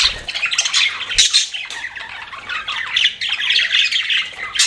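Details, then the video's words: Pet budgerigars give continuous scratchy squawks and twittering chirps, a loud sharp burst early on, then steady high chatter without pause. "BUDGIES CHIRPING SOUND"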